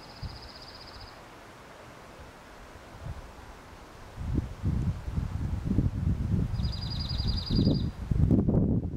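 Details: A slate-colored dark-eyed junco delivers a short high trill at the start, then another even, rapid trill after a pause, while loud low rustling and wind sounds fill the background.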